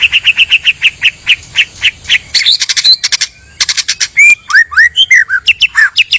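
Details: Male and female white-rumped shama singing as a trapping lure: a fast run of evenly spaced chirps, then dense harsh bursts and looping whistled notes rising and falling.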